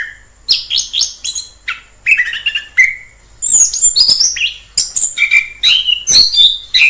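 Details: Orange-headed thrush singing in the wild: a rich, varied run of clear whistled phrases, some rising and some falling, mixed with rapid high twittering notes, delivered in quick bursts with short pauses.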